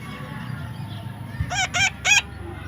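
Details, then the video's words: Baby parrot, natural sound: three harsh, buzzy squawks in quick succession, each a short rising-then-falling note rich in overtones, over a low steady background hum. "natural funny parrot sound"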